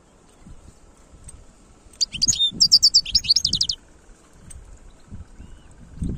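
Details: European goldfinch giving khlouwi style song, a fast run of high, liquid twittering notes repeated in a rhythmic trill for nearly two seconds, then quiet with soft low background rumble.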